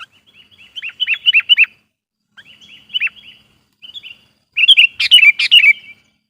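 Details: Sooty-headed bulbul lure (pikat) song aimed at provoking wild birds: short sets of sliding, downward-swooping whistles separated by pauses, ending in a louder, harsher chattering phrase.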